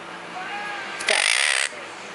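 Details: Pet monk parakeet at home, one week after arriving, while its owner repeats words in Chinese to teach it to talk: a single loud, harsh, raspy squawk lasting over half a second, after soft background room noise.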